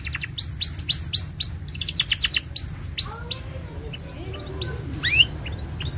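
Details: Continuously singing canary, a tutor recording for young birds and a prompt for silent canaries. A run of sweeping downslurred whistles is followed by a brief buzzy trill and more whistles, then scattered softer chips near the end, over a thin high hum.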